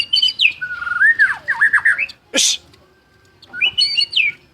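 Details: White-rumped shama, a champion songster, singing high whistles that drop into low rolling warbles, broken by a sharp rushing noise, then resuming with bright rising-and-falling phrases; a voice follows.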